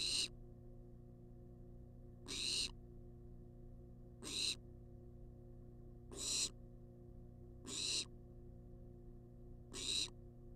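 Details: Wild barn owl filmed on a live nest-box camera, demanding food nonstop: six short wheezing hisses at uneven intervals of one and a half to two seconds over a steady hum.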